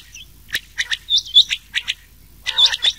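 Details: Rain quail calls mixed with common quail voices, a recording used as a night-time hunting lure in summer: sharp, paired high chirps and squeaky notes in quick bursts, with short silent gaps between them.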